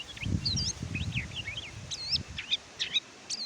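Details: Kecial kuning or pleci, the Oriental white-eye, offered as a tutor song: bright high slurred whistles and twisting chirps in short groups over a low rumbling background.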